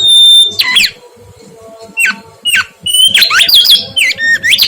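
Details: Mangrove whistler singing strongly: a loud level whistle, a few sharp downslurred notes spaced apart, then a lively jumble of slurred, rising and falling whistles.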